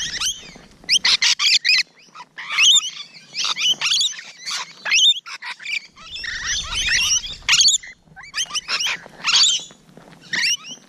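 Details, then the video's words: Morning of 12 June 2017, Rainbow Lorikeets at close quarters: sharp, metallic screeches delivered in rapid staccato bursts with short silences, several birds calling together. "Rainbow Lorikeet Close Encounters"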